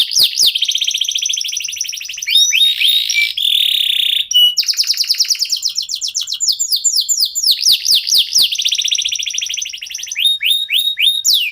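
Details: Local domestic canary in full song, kept to prompt other songbirds to sing and as a tutor for contest birds; fast upswept trills, a steady buzzy tone and rapid repeated chirps in changing tours, nonstop and loud.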